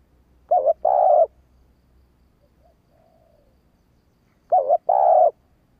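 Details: Female spotted dove giving an urging call used to quickly provoke male doves to respond: two low, hollow cooing phrases about four seconds apart, each a short wavering note then a longer sustained coo, with a faint soft note between.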